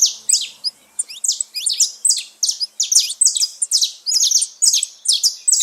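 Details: Saffron finches free in the wild, a festive gathering of several birds: high, bright chirped notes with downslurred buzzy sweeps, packed in quick overlapping bursts about twice a second throughout.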